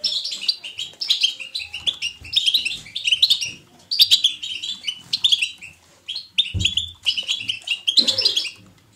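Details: Goldfinch twittering, lively and natural, picked to encourage goldfinches to sing. Continuous run of fast, high, jingling chirps and buzzy trills in repeated bursts. A faint low thump and a soft rustle come near the end.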